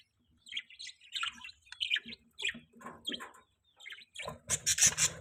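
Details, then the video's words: Budgie chirping: varied short, squeaky chirps and warbled notes in loose bursts, then a louder burst of rough, scratchy chatter at the end. "budgie chirping sound"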